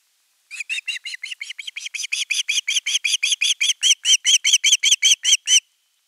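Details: Nest 3 Osprey chick begging long for fish, 10 August 2021, before a whole fish is delivered. About twenty-five high, piercing whistled notes come in a steady series of roughly four to five per second, growing louder toward the end.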